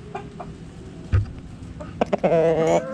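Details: Backyard chickens in a coop, hens clucking: short harmonic clucks, then a longer wavering drawn-out call near the end, over a low steady background hum.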